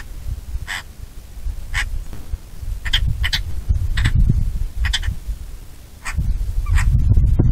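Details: Bonelli's eagle uttering quick, raspy call notes in an uneven series, often paired, about nine notes in under eight seconds, against heavy, rising wind rumble.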